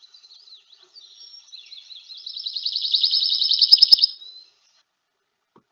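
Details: A Pine Warbler, an early-returning warbler back in New England woods near large pines in late March–early April, sings a rapid, even musical trill of about two seconds that swells in loudness, with a few faint clicks at the end.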